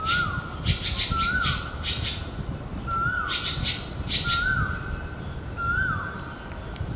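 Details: A red-billed blue magpie gives loud, harsh rasping calls with short sliding whistled notes, repeated about every one and a half seconds over a steady low rumble, calling nonstop after seeing a big turtle.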